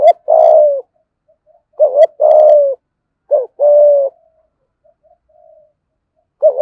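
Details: Spotted dove kept as a decoy, calling its full 'giọng thổ' repertoire of thúc, gù and gáy. Loud, clear low coos: a double note then a long falling croon, three times, with faint soft murmurs in the pauses.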